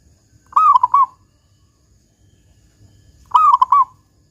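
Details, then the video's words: Local zebra dove singing vigorously in the big 'kung' voice style, played as a lure to make other doves sing: two short rolling cooing phrases of four quick notes, about three seconds apart, over a low rumble. "Perkutut Lokal GACOR Suara Kung Besar Pancingan Burung Perkutut Agar Bunyi"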